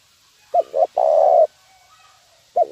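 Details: Zebra dove lure call used for training birds: two short low coos followed by a longer, level, rolling coo, with a further short coo starting at the end; quiet background.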